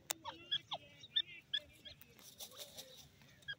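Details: Grey francolin calling: a run of short, sharp, high metallic notes repeated rapidly in a loose series, with a few lower slurred notes and faint background rustling.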